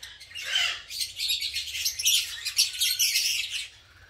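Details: Colony of green masked lovebirds pairing and nest building in an aviary, a loud overlapping mass of sharp high squeaks and chirps swelling in the middle and fading at the end.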